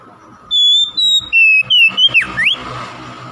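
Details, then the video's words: Oriental magpie-robin singing as a lure for silent birds: a single phrase of sustained clear whistles, dropping in steps, then a fast downward swoop and upward flick, over a steady low background rumble. "PANCINGAN KACER BISU MALAS BUNYI AGAR CEPAT NGEPLONG DAN GACOR"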